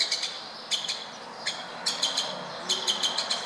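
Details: Woodpeckers in Berceni, Bucharest, Romania, calling near a window with crisp, high kik notes in pairs and short bursts, ending in a rapid string of four to five.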